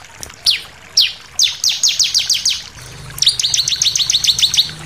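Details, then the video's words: Bar-winged prinia singing an intense 'shooting' song with variations, for tutoring captive birds: single sharp falling chirps building into quick repeated notes, then a dense rattling run, over a faint low hum. "SUARA CIBLEK NEMBAK NGOTOT + VARIASI"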